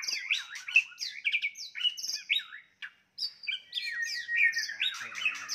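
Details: White-rumped shama giving a fighting song meant to provoke and anger rivals: a rich, varied run of loud whistled phrases and sliding notes, broken by a brief pause midway, then resuming with faster chattering notes.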